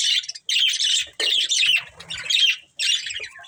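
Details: A family of budgies gives loud, harsh warbled squawks in phrases about half a second long, separated by short silences.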